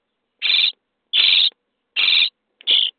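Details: Common starling young in a nest box on day 23, begging while being fed: four drawn-out, grating rasps, each lasting about a third of a second, the last one shorter.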